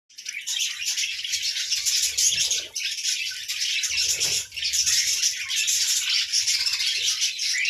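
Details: Budgerigars in the morning chatter without a break, many overlapping buzzy, scratchy chirps and warbles forming a dense, high, rattling wash of sound.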